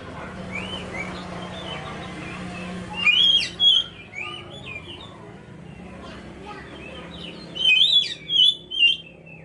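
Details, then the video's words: Oriental magpie-robin song played as bait to provoke other birds into singing: after a murmuring, low background hum, two bursts of loud, varied whistled and slurred phrases ring out, each a few seconds long. "pancingan kacer"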